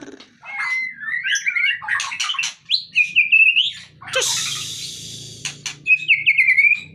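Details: White-rumped shama kept in a cage, lifted out to shed fat, pours out varied song: warbled whistles, bright trilled phrases and a long harsh rasping burst midway, closing with a high fluttering whistle; a faint low hum runs underneath.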